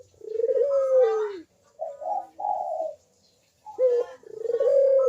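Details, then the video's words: Barbary dove (puter) in full cooing ('manggung'), a lure for lazy doves. A long, mellow coo dips downward, then two short choppy notes, then another rising-and-level coo begins the cycle again. "KUK DERUK BURUNG PUTER GACOR MANGGUNG"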